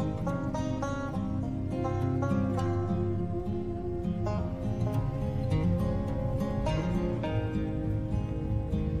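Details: Gentle acoustic guitar music, picked melody over soft bass notes, with no animal voices audible.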